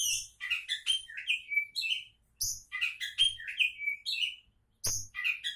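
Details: Oriental magpie-robin, known as kacer, singing a varied run of sweet whistled and chirped phrases, high notes sliding up and down, with a brief pause near two seconds before the song resumes, plus faint low thumps.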